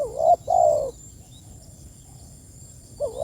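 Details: Spotted dove calling to its companions, giving a low two-part coo (a brief wavering note, then a drawn-out falling coo), with the start of the next phrase at the end.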